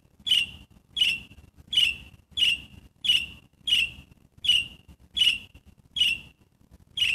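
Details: Gray catbird calling: about ten short, high, downslurred notes, each given singly and repeated steadily roughly every 0.7 seconds, against a quiet background with faint low rumble.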